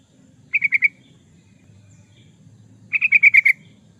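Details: Yellow-vented bulbul (trucukan) gacor song for luring or training birds: two bright bubbling phrases, the first of four notes and the second of about six, with a soft low background hum.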